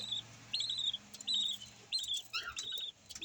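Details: Tiny yellow lovebird chick giving short, thin, wavering high squeaks, one roughly every half second, over a faint low hum.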